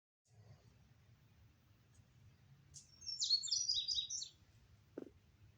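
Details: Wild bird song outdoors in Oklahoma on May 22 under clouds after storms: a single bright, rapid jumbled phrase of high chirps lasting about one and a half seconds, over low steady background rumble.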